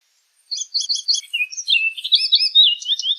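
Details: Orchard oriole singing: a series of quick repeated chipping notes, then a lively, rolling warble of whistled syllables that continues to the end.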